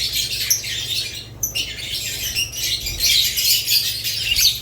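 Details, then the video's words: Shrill budgerigar chirps and squeaky warbles crowd together, dipping briefly after the first second and then growing louder, with a low hum underneath. "Budgerigars lovebirds Chirping Sounds"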